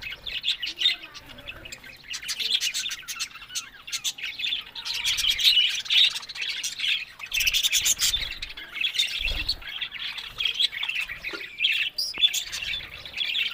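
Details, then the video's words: Happy talking budgerigars keep up an unbroken, chattering warble of high, fast chirps and clicks, with louder squeaky peaks now and then. "Amazing Talking Happy Budgies Sounds"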